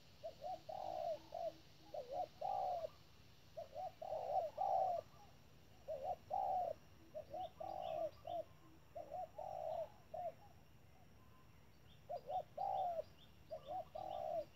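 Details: Caged spotted dove acting as a trap decoy, calling insistently to challenge wild doves. Husky coo phrases about every one to two seconds, each a short note and a longer drawn coo. Faint high chirps from other birds sound in the background.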